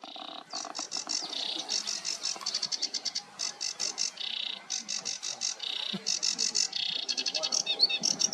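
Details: A sedge warbler at Ham Wall RSPB Reserve on 14 May 2023 sings a fast, unbroken jumble of harsh chattering notes, buzzy rattles and sweeter whistled trills, constantly changing pace.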